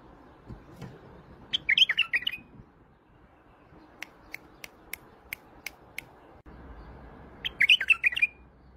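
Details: White-eared bulbul from Iraq gives two short warbling phrases of quick slurred notes, separated by a series of about eight sharp, evenly spaced clicking ticks and low background hum.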